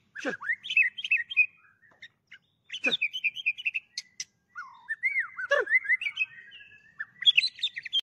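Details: White-rumped shama, a specially kept Medan bird worked up and singing with many voices, its song filled with borrowed phrases: bursts of quick warbles and rattling trills broken by sharp snaps and short silences, ending in a shrill burst.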